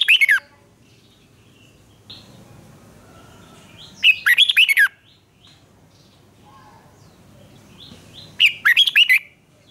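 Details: Red-whiskered bulbul giving competition-style song in three bursts of loud, bubbly, warbled phrases about four seconds apart, with a quiet background murmur between them; the recording is used for voice training.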